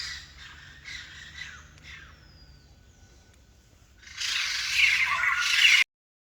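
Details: White-crested laughingthrush, described as rare, first giving faint scattered rasping notes. A near-silent stretch follows, then a sudden loud burst of harsh, noisy cackling that stops sharply.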